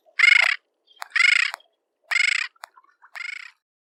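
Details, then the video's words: Bridled tern repeating loud, harsh, buzzy squawks roughly once a second, each grating note a third of a second long, with faint clicks in the gaps. "Крачка бурокрылая. 5 часть. Голоса птиц"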